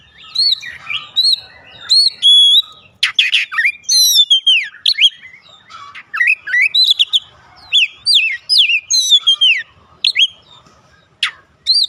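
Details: Lure song of a white-rumped shama meant to prompt other birds of any age to sing: a rapid, varied stream of loud whistles, sharp up-and-down sweeps and chattering notes with few pauses.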